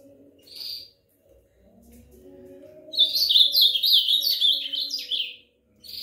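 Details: Ultramarine grosbeak (Cyanoloxia brissonii) song: a single high note, then a rich, fast, warbled phrase of tumbling sweet notes lasting about two seconds, over a faint low droning hum.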